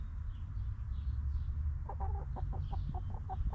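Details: Chickens in a backyard coop: after a stretch of low rumble, a hen breaks into rhythmic clucking, about six short, evenly spaced notes in under two seconds, while small birds chirp faintly in the background.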